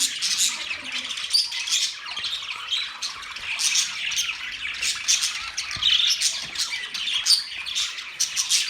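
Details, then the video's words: Budgies kept in a cage with a fresh setup chirp together in a busy mix of sharp squawks and twittering warbles, steady throughout with brief louder bursts. "Budgies chirping sounds"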